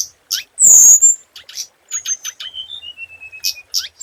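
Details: Scarlet minivet decoy (lure) song: thin high whistles and sharp chirps, one long slurred whistle falling into a drawn-out descending note, with a brief harsh burst near the start.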